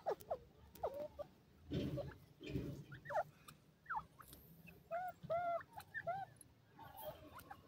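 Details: Partridge (teetar) in the wild giving repeated arched, somewhat nasal notes at uneven intervals, mixed with rustling and handling thumps, the notes clustering toward the end.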